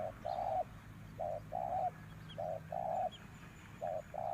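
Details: Decoy spotted dove calling to lure wild birds, with repeated low coo pairs, a short note followed by a longer, slightly wavering one, and faint high bird chirps in the background.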